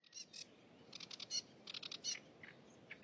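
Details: Wild cigrok singing energetically in nature: bursts of high, sharp chirps and rapid trills, irregularly repeated, some notes dropping slightly lower, over a steady faint background hiss.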